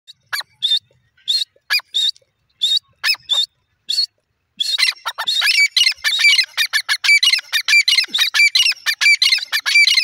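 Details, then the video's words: Grey francolin, known locally as dakhni teetar, calling: a few loud, harsh, ringing notes with pauses between them, then a dense rapid run of repeated grating notes that keeps up to the end. "teetar bird sweet awaaz,dakhni teeter ke boli"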